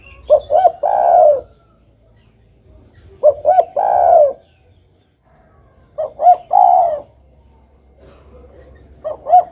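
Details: Spotted dove calling vigorously, four rhythmic phrases roughly three seconds apart. Each phrase opens with two short clipped notes and ends in a longer, soft, falling coo.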